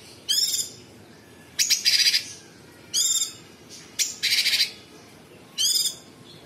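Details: Sooty-headed bulbul in full song, delivering the rough, rapid burst style called tembakan: five harsh, buzzy, high rattling bursts with short gaps between them. Quiet background.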